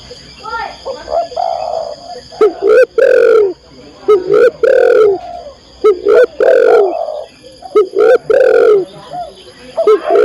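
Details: Female spotted dove calling to a male, used as a training recording for cage birds: loud, hoarse coos around middle pitch, in short phrases of two to three notes repeated over about ten seconds, with softer coos between.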